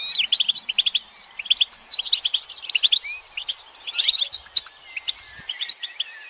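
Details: Several European goldfinches twitter together in calls meant to prompt silent males to sing: bursts of bright, tinkling chirps and liquid trills, broken by a few short, thinner stretches and some long high whistled slides.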